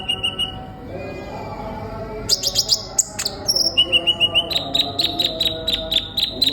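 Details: Sunbird in full song, kept as a lively singer, used to coax young birds into singing: high thin chirps, then bursts of rapid sharp notes and a quick repeated twitter, over a low steady hum.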